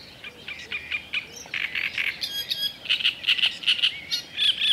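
Black-necked grebe giving short, high whistled notes, some rising, repeated about two or three times a second in an uneven series, with faint background hiss.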